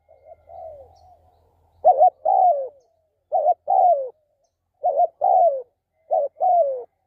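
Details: Spotted dove in a decoy-trapping setting. After a soft opening coo, four evenly spaced phrases follow, each a brief two-part note leading into a sustained, downward-sliding coo, over a faint low hum at the start.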